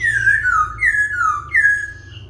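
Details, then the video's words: Laughingthrush singing as it dances: three clear whistled phrases, each starting high and gliding downward, with a faint low hum behind. "Khướu vừa hót vừa múa , Đảo giọng liên tục"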